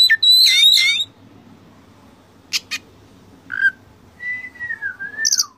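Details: Training recording of Oriental magpie-robin song with mimicked fillers: an opening loud warbled burst, then scattered clicks and a short note after a pause, and finally a long sliding whistle with high chips.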